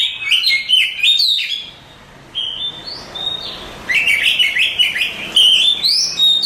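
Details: A champion Oriental magpie-robin sings bursts of fast, jumbled whistles and chirps, pauses for about a second, then resumes with single long whistles before another rapid flurry.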